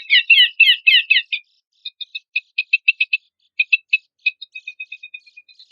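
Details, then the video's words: Horsfield's babbler song from a compilation used to train songbirds for contests: bright chattering bursts of stacked notes in the first second, then short clipped chirps repeated irregularly, several per second, over a silent background. "PANCINGAN AMPUH PELANDUK SEMAK"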